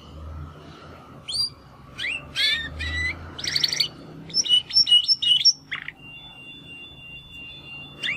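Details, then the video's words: Young male Timbrado canaries, brothers from the second 2020 breeding, try out song after first molt: sparse scattered upslurred chirps, a short buzzy burst, then a few clipped whistles and a thin held tone over low background hum. "Two Canaries Brothers - Canary training song"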